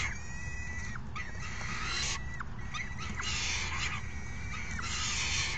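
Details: Falcon chicks begging loudly as a parent brings dinner on 3 June 2018: wavering, whining calls repeat with harsh, scratchy bursts over a steady low hum.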